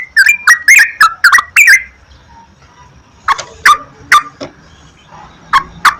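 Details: Yellow-vented bulbul lure recording meant to spur caged birds into song: a quick burst of bubbly slurred whistles, then a quieter pause and a few spaced, lower chirps.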